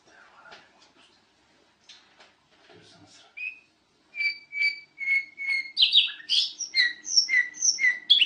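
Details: Golden-fronted leafbird song beginning with faint murmuring and a soft whistle, then a clear level whistle repeated about every half second, breaking into loud varied chattering phrases and paired whistled notes.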